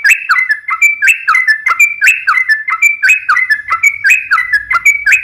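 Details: Sooty-headed bulbul in long rapid song intended to draw replies: regular whistled phrases, each a slurred rise and drop, repeated roughly once a second, with faint low rumble late on.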